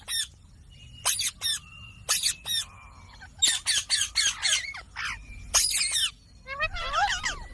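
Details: Harsh, high-pitched squawks burst out in quick irregular clusters from green ringneck parrots while they dance, ending in a wavering, chattering call.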